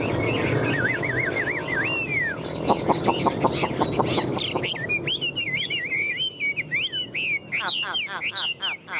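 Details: Caged, tame Chinese hwamei showing off wings and tail: a quick warbling whistle opens, then a run of low, clucking, rooster-like pulses, then bright, sharply bending whistled phrases repeated in quick succession.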